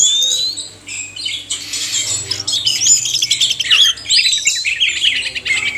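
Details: Oriental magpie-robin pair, male and female, sung as a stimulus for captive birds: a long opening whistle, then dense squawky chatter and rapid whistled phrases building in loudness.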